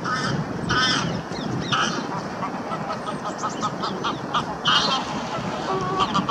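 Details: A pair of Canada geese on a lake shore, the gander making an aggressive display to his mate before a greylag chases them off. They give loud, nasal, irregular honks, some in quick bursts of two or three, over wind or water noise.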